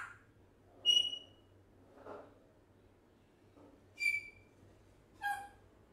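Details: One-year-old African grey parrot, said to talk non-stop; a few short, high whistled squeaks, some with a quick upward flick, scattered across a few seconds over a faint low hum.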